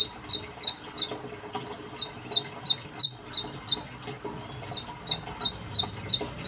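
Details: Cinereous tit lure recording used to trigger replies: bursts of high, clear repeated notes, about three per second, separated by short pauses, each note a quick descending slur, steady and regular.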